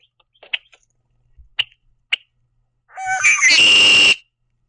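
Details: A hungry Red-winged Blackbird feeding on sunflower seeds at a backyard platform feeder gives three sharp, high chips about a second apart, then a loud, harsh, buzzy burst lasting over a second, spreading its wings as it calls.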